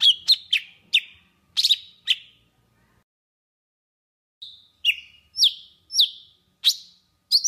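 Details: Lure song of a golden-fronted leafbird in Vietnam, used to attract birds into traps: bursts of sharp twittering notes, a silent gap of about two seconds, then spaced, rising-then-falling whistled chirps.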